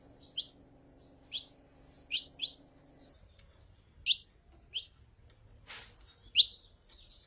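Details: Saffron finch, female calling and male singing, played to stimulate a male: short, sharp, high chirps and brief upslurred notes spaced irregularly about a second apart, with a faint low hum in the first few seconds.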